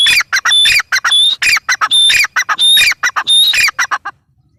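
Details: Loud, shrill calling of a grey francolin, or teetar: grating notes packed closely together, with clear whistles rising slightly in pitch, ending abruptly after four seconds.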